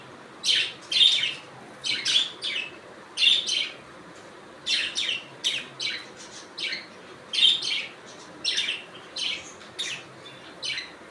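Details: Budgies chirping in an ongoing sequence of short, sharp, scratchy notes, often grouped in pairs or threes, with brief gaps between the groups.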